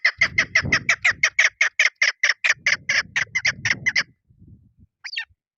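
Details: Female chukar partridge used as a lure for hunting, giving a fast string of harsh, clucking notes that breaks off after four seconds, with low rustling and handling noise underneath and a single squawk near the end.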